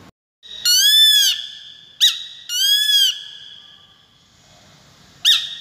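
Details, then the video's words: Peregrine falcon repeating harsh, harmonic-rich wailing cries, each about half a second long, alternating with short sharp notes. After a pause a final sharp note is heard. "Peregrines Falcon | សម្លេងសត្វស្ទាំង"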